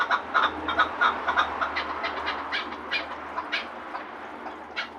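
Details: Chukar partridge at Gharm uttering quick clucking notes, several per second, uneven in loudness, over a steady low droning background noise.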